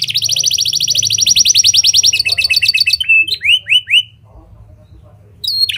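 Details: Canary performing a fast buzzy trill for two seconds, then a choppier rattle and three descending whistled slurs before falling quiet; cengkok style imitating lovebird and prenjak, used to get other canaries singing.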